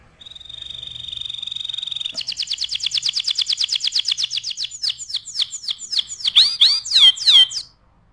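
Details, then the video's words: Canary song used for tutoring other birds: a steady buzzy trill of rapid repeated notes, then a faster rattling trill, ending in loud sweeping whistled notes that slide up and down, with no other sounds. "SUARA KENARI GACOR AMPUH UNTUK MASTERAN"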